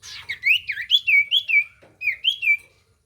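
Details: Common iora singing to coax a silent bird: clear whistled notes sliding up and down in a looping, wavering phrase, repeated with a short break.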